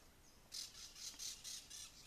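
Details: A Crested Oropendola (Psarocolius decumanus) in Barinas, Venezuela, gives a quick run of six or seven harsh, hissing squawks, about four per second, after a quiet start.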